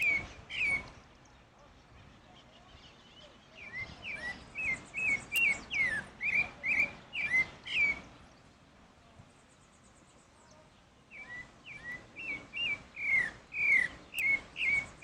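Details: A pale-breasted thrush (Turdus leucomelas) sings in the wild: bursts of short, clear, slurred notes about twice a second, in two runs split by a quiet pause, with faint background noise.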